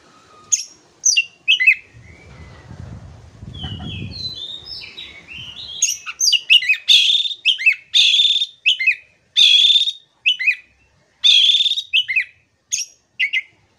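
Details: Oriental magpie-robin (kacer) in full song, meant to coax a stressed, silent bird back into singing: rapid chattering, buzzy and whistled notes in quick bursts, with a soft low rumble partway through and then a dense run of loud sharp phrases.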